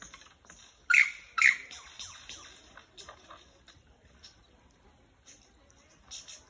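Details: Lyrebird in Dandenong, Australia: two loud, sharp ringing notes close together near the start, then scattered softer chirps, twitters and clicks in a busy outdoor setting.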